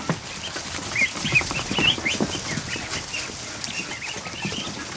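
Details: A barn kiddie pool holds 100+ freshly hatched ducklings on an afternoon. Their bright, rising peeps come in quick overlapping bursts, loudest in the first two seconds, over soft splashing.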